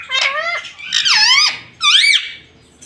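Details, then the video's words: Talking pet rose-ringed parakeet repeats three wavering, nasal word-like phrases, the middle one long and falling, the last rising sharply then dropping, in a small room. "Mummy Papa Bolunga || Talking Parrot || Mitthu Mitthu"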